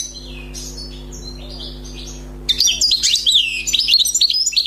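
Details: Wild European goldfinch, recently trapped, in song: soft high whistled notes at first, then from halfway a loud burst of rapid, liquid, buzzy twittering trills, over a constant low hum.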